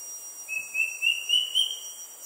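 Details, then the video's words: An uncommon resident square-tailed drongo-cuckoo in Singapore calls a quick run of about five clear whistled notes, each a little higher than the last, over a steady high insect hiss. "Bird Call: SQUARE-TAILED DRONGO-CUCKOO"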